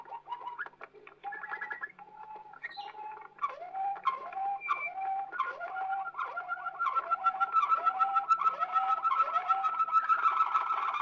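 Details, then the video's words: Waterslager canary on an old recording from Belgium: low, bubbling rolled notes, repeated about three times a second, then shifting into a long sustained warbling tour. "Old Canary Waterslager Song - カナリアの鳴き声"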